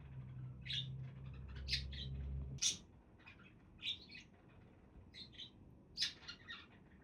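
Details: Budgerigars at a relaxed moment, giving short scratchy chirps and squawks in irregular bursts, with a steady low hum through the first few seconds.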